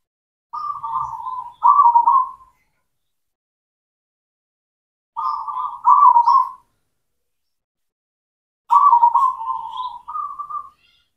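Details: Singing local zebra dove of the black cemani variety, used as a lure for mute doves: three groups of paired, rapidly pulsed cooing notes, each group lasting about two seconds, spaced three to four seconds apart.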